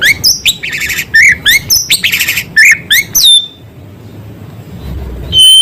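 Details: White-rumped shama singing filler material of small-bird calls: choppy bursts of buzzy chirps and sharp downslurred notes for about three seconds, then quiet before a final high whistle.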